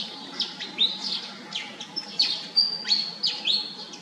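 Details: Pied fantail calling with a lively series of thin, high squeaks and sharp downward-slurred notes repeated roughly every third of a second, clear above faint background hiss.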